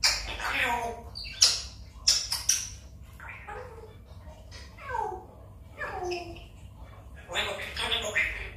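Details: A one-and-a-half-year-old pet African grey parrot's morning talk with its owner: speech-like phrases with falling inflections, broken by sharp squawks and whistled notes at the start and end.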